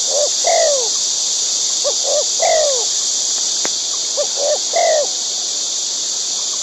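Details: Wild white-breasted waterhen feeding its young: three phrases about two seconds apart, each two or three short low notes leading into a drawn-out, downward-sliding croak. Loud insect drone throughout.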